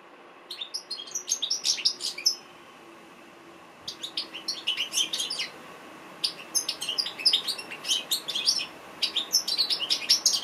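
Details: Sweet-voiced goldfinch singing in bursts: two-second runs of sharp, high twittering notes broken by short silences, then longer jumbled chirping phrases resuming and continuing to the end.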